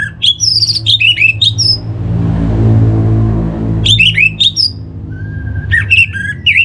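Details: Orange-headed thrush song used as a lure to get other birds singing: bursts of fast, varied, slurred whistles and chirps, then a pause filled with low rumbling hum before the phrases resume.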